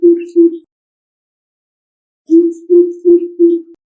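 Greater Coucal: two deep, booming hoots, a pause, then four more in a quick even series, each low and resonant. Faint high hiss above.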